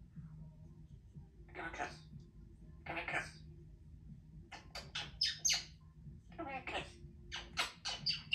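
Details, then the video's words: Young female Congo African Grey parrot kept as a pet in a country home, chattering among household talk. Short harsh, buzzy vocal bursts in two pairs, then rapid clipped syllables, over a low indoor hum. "African Grey Parrot knows many words for such a young parrot"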